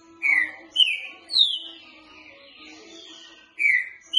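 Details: Boca mole song of a green-winged saltator, used to train birds: three clear descending whistles in quick succession, a pause of about two seconds, then the phrase begins again.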